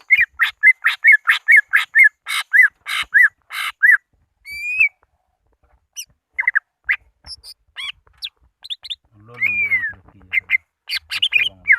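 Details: Greater green leafbird lure recording aimed at rivals: a quick series of whistled slurs, a pause, then scattered calls and a long arched whistle over a low hum.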